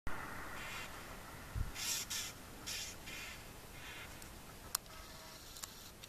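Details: Roadside hawk (Rupornis magnirostris) in Barinas, Venezuela, gives several harsh, raspy screams, each under half a second, over about two seconds, with low rumbling background noise and a sharp click.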